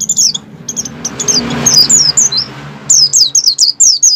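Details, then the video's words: Oriental white-eye in strong breeding arousal, ngalas-style song to trigger singing in captive white-eyes; high, quick downslurred chirps at start and end, with a noisy broadband rush in the middle. "pleci over birahi ngalas mempercepat pleci buka paruh dan pleci gacor| suara burung"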